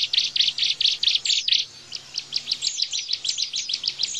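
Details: High-pitched 'tembakan bren' song of a Bar-winged prinia, a tutor recording for cage-bird training: loud clipped bursts repeated rapidly, a short pause, then a run of rising, whistled chirps.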